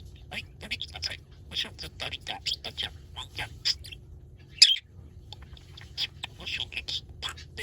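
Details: A pet budgerigar, later to develop paralysis in both legs, warbles along with a washing machine's melody: a fast, scratchy stream of clicks, chirps and murmured speech-like notes, broken by one clear high whistled note.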